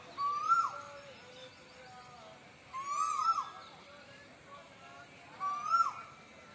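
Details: Three rising-then-falling whistled cuckoo notes, evenly spaced about two and a half seconds apart, each paired with a faint higher whistle, over a low murmur of background noise.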